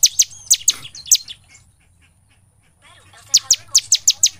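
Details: Bar-winged prinia (ciblek) in lively, energetic song, used as a lure to get other prinias singing day and night. Sharp, very high chirps in a fast burst of about six, a pause near two seconds, then another quick run of five.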